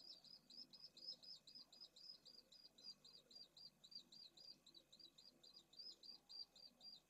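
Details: Pallid swift at a nest site in a drum at Esclavas de Jerez, Jerez de la Frontera, where one nest holds two eggs beside a parent and two others hold well-grown chicks; rapid, steady series of short, high chirps, about four per second, over a faint low hum.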